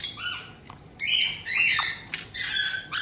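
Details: In Tokachi, Hokkaido, June 2023, captive white-bellied caiques, an adult pair plus a two-month-old newcomer, give a welcoming exchange: squeaky, bending whistles mixed with sharp squawks and a click.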